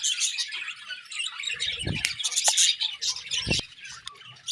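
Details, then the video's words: Budgerigars kept as pets chatter in the morning with dense, high scratchy chirps and trills, broken by two soft low thuds. "Beautiful Budgies Morning Chirping Sounds"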